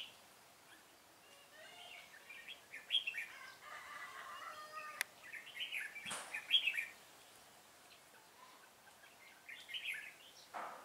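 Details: Red-whiskered bulbul recorded while being trapped, 25 April 2017: scattered short whistled phrases, a few seconds apart, interrupted by sharp clicks and knocks from the trapping setup.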